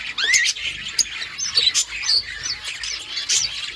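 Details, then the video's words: Parakeet chirping: quick upward-sweeping whistled notes mixed with harsh chatter, delivered in an unbroken stream by budgies. "Budgies sounds to make them happy | Parakeet Chirping"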